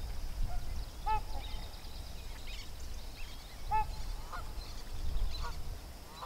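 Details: At Sherburne Wildlife Drive, where a sandhill crane colt is with its parents, a sandhill crane gives two short, ringing, honk-like notes about two and a half seconds apart, over a steady low rumble of wind or traffic.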